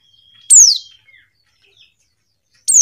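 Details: Female white-eye uttering two sharp, high calls that slide steeply downward, about two seconds apart, over a faint thin steady whistle.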